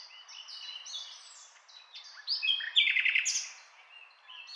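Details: Nightingale song, softer at first, swelling into a louder stretch of fast rattling trills and bright whistles before fading back down.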